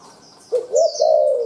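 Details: Spotted dove taken from the forest, calling briskly: a short coo followed by a sustained hoarse coo running to the end. High thin bird twitter above.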